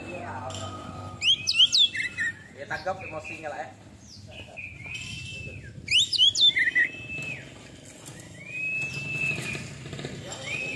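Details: Oriental magpie-robin, moulted once, delivering separated bursts of 'tembakan' song: brief sweeping whistles and chatter every few seconds, with drawn-out flat whistles and quieter gaps between phrases, plus a low background hum.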